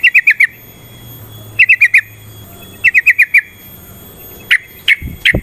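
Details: Yellow-vented bulbul song played to provoke fighting: quick bubbly bursts of four or five notes separated by pauses, ending with a few single sharper notes and a low thump.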